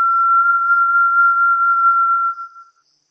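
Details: Song of a Brazilian Tinamou, a long, level, pure whistle on a single unchanging pitch, already sounding at the start, sustained over two seconds, then trailing off quietly; faint soft ticks repeat in the background.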